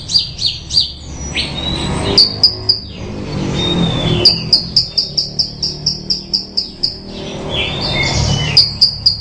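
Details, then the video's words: Bushlark singing: bursts of high sharp chirps repeated about four per second, separated by slurred whistles and short warbles, with low traffic-like rumble in the background. "Suara Burung Branjangan Merdu"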